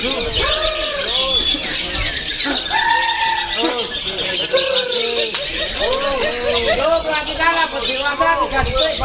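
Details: A lovebird competing at a songbird contest pours out a long, unbroken, high-scoring stream of rapid squeaky chirps and chatter, while other birds and the murmur of a crowd fill the background.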